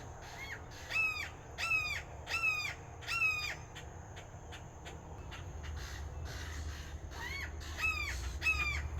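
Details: Red-shouldered hawk giving loud, harsh, down-slurred screams in a rapid series, four calls about a second apart, a pause, then three more, over a steady low rumble.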